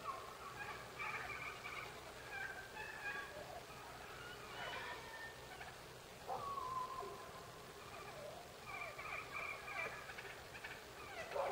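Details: A flock of wild turkeys stirring at dawn on October 9, 2016. Scattered raspy yelps and clucks come from several birds, followed by a clear downward-sliding whistled note near the middle, over a constant background hum.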